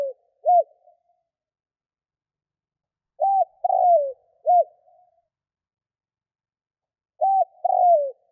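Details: Spotted dove kept as a decoy in Vietnam, cooing to draw wild doves. Three-note phrases (hoot, falling coo, hoot) repeat about every four seconds against silence.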